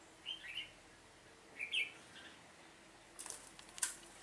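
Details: Red-whiskered bulbul decoy in a trapping session, 7 September 2018: two short bubbly song phrases, then a sudden clatter of flapping and rattling near the end.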